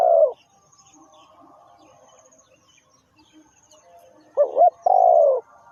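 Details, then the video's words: Spotted dove kept as a trapping lure. A long coo ends, a faint murmur of background chatter follows, then a fresh phrase comes: a quick two-part note and a drawn-out, falling, husky coo. "The Sound Of Spotted Dove"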